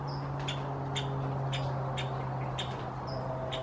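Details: Nuttall's woodpecker calling in spring just before dusk, seeking attention: short, sharp high notes repeated in quick, uneven succession over a steady low hum.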